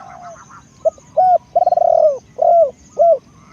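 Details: Spotted dove, a decoy bird used to lure wild doves, giving low hollow coos: short single notes, then a rapid rolling trill that merges into a long sustained coo, followed by two more curved coos; faint high bird chirps behind.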